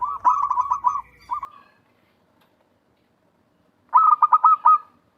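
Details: Zebra dove from the wild, calling strongly as a lure for trapping: two bursts of rapid, bubbling coo notes at a steady mid pitch, divided by about two seconds of silence.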